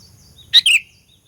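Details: Single bright phrase of a sooty-headed bulbul lure song for provoking rival birds: a sharp clear note followed at once by a slurred, falling, bubbly chirp, then silence over a faint low hum.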